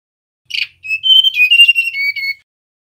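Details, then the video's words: Short rough note leading into a flowing chain of clear whistled notes that wander up and then step down, from a male mangrove blue flycatcher, in a silent background. "Suara tledekan bakau jantan nyiul"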